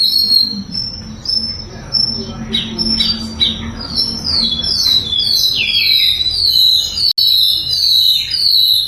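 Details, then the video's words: Sikatan londo flycatcher song for training songbirds: starts softer with sparse high chips, then builds into a fast sequence of bright, descending high whistles and twitters. "SIKATAN LONDO GACOR - SUARA LANTANG & SUPER JERNIH"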